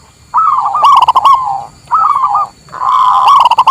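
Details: Song of a local zebra dove, used to lure wild birds and to train others: three bursts of soft, rolling, trilled cooing with quick fluttered notes and faint sharp clicks.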